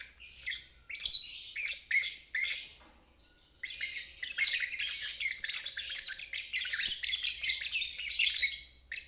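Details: Lovebird giving its ngeriwik trill, a therapy recording meant for stalled birds and fledglings learning the sound: dense buzzy chattering bursts high in pitch, a short pause near three seconds, then a long continuous rattling trill.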